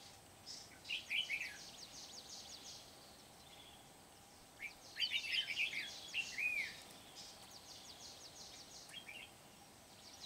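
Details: Red-whiskered bulbul acting as a trapping decoy, Kim Bôi, Hòa Bình, Vietnam, 8 September 2019: two bursts of lively warbled, chirping phrases several seconds apart, with steady high insect-like hiss and faint distant chirps.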